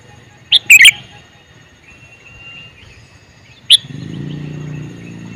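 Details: Male sooty-headed bulbul calls with a quick burst of bubbly chirped notes, then a single sharp note a few seconds later, followed by a low humming noise.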